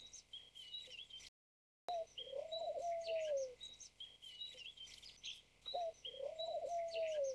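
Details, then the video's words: White turtle dove, a bred white form with no wild population: two long, low, smoothly arched coos, each lasting about a second and separated by a few seconds, with brief high chirps from other birds throughout. "白斑鳩/White Turtle Dove"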